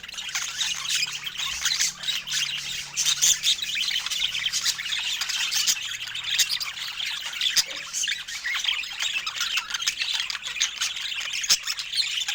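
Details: Several pet budgerigars at fruit time keep up a steady, busy chatter of harsh, high squawks and thin chirps, overlapping without pause, with occasional sharp clicks and a soft low hum early on.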